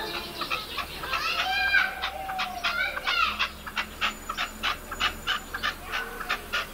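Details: A partridge decoy bird in León, 2012, in its third breeding season, gives harsh, clucking calls, first in a rising, scraping burst, then in quick repeated chuck notes.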